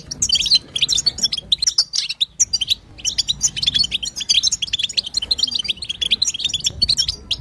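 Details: Female European goldfinch 'batbata' chatter intended to make a male sing: busy high twittering and buzzy chirps, broken by a short silence around two seconds, then a sustained run of tinkling notes.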